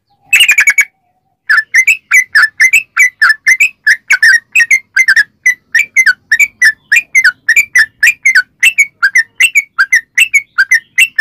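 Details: Long steady series of clear chirped notes from a sooty-headed bulbul, 'ropel panjang' style, intended to lure other bulbuls into singing; roughly three to four notes per second after a brief opening burst and silence.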